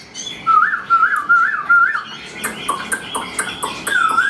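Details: Caged, tame Chinese hwamei singing while carried by hand: a run of four clear, wavering whistled phrases repeated about every half second, followed by sharp clicking notes and higher slurred whistles.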